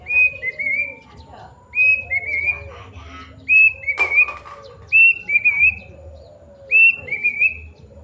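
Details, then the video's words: Plaintive cuckoo long call: ringing whistled phrases of three or four notes, each slightly rising then falling. Four phrases are spaced about two seconds apart, and a sharp click sounds midway. "kedasih gacor bunyi panjang"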